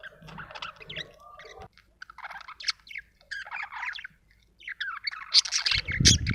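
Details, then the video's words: Budgie chatter of scratchy chirps and warbles broken by a short silence, ending with louder squeaks over a low rumbling noise. "budgie chirping sound"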